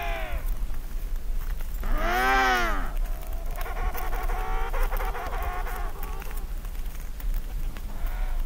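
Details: Emperor penguins in a colony on the first day of eggs hatching, birds gathered in huddles; distant harmonic, wavering trumpet-like calls, one loud rising-falling call near two seconds then a longer trilling run, over steady wind rumble.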